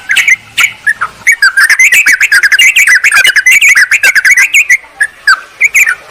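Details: Yellow-vented bulbul calling a rival, meant to lure wild birds: a few scattered notes, then a fast, busy stream of twittering, warbled chirps that slows toward the end.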